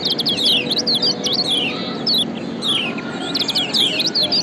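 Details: Yellow white-eye of Lombok in a lure recording of ciak calls: bursts of quick, high falling tweets separated by brief pauses, over a steady low background hum.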